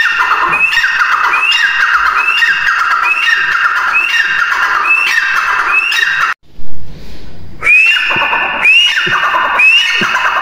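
Grey francolin giving harsh, rising, ringing calls about once a second, with a brief pause midway before louder calls resume; a faint musical hum may sit underneath.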